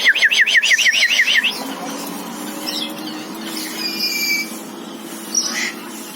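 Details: Common hill myna, known locally as beo mamiang or tiong emas, gives a quick burst of about ten sharp, downslurred chirps in a second and a half, then fainter scattered squawks over a steady low hum.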